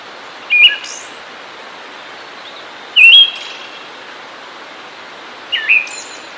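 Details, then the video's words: Siberian thrush singing: three short whistled phrases, each a wavering or looping note followed by a thin, high sibilant trail, spaced roughly two and a half seconds apart over a steady soft background hiss. "Zorzal Siberiano"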